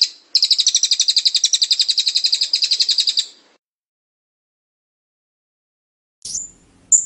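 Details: Blue-crowned hanging parrot, local name serindit, in a clear 'teler' style song burst: a fast, high, buzzy chattering trill of about 30 even notes over three seconds, then silence and two short sharp whistles.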